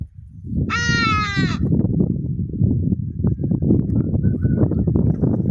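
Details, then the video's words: One brief, strident hadada ibis call, rich and nasal with a slight downward slide, heard over heavy low wind buffeting. "Hadada Ibis The Noisiest Bird In The World"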